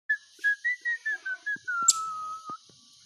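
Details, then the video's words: A pet bird sings a run of clear whistled notes, seven short level tones that gently step downward, then one long, slightly falling held whistle, with a few soft clicks and a sharp tap. "My bird is singing"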